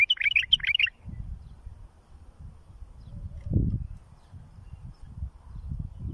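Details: Bulbul song used for tutoring fledglings: a short burst of rapid warbled notes opens the clip and lasts under a second, followed by low rumbling thumps and faint background noise.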